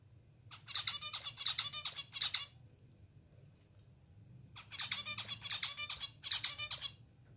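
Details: Hand-fed, hungry zebra finches kept indoors beg in two bursts, each a quick series of five or six harsh, buzzy, nasal chirps, separated by about two seconds of quiet; soft low background hum.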